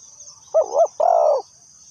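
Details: Lure spotted dove used in trapping, calling a short throaty double coo followed by a longer, even, hoarse coo. A continuous high-pitched insect drone runs underneath.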